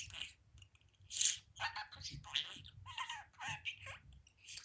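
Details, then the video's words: Talking pet budgie sitting on a window perch gives rapid scratchy syllables in quick succession, bright and high-pitched, with a faint room hum underneath. "Budgie Boo, window talking"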